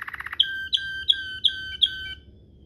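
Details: Waterslager-style rolling canary song used as a tutor recording for young canaries: a quick stuttering run of short notes, then a series of clear, ringing whistled notes with a sharp onset, repeated about every third of a second.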